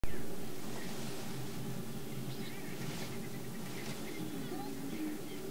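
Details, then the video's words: Prairie chickens jousting and booming to attract females: a continuous deep, hollow humming drone layered from several birds, steady throughout, with faint scattered chirps and squeaks above it. "Prairie Chicken Booming"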